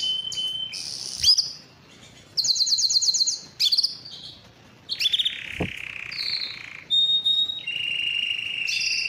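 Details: Belgian canary giving loud breeding song to attract females, broken into separate high phrases: short whistles, a quick trilled burst, a long steady rolled note, and a sharp click between.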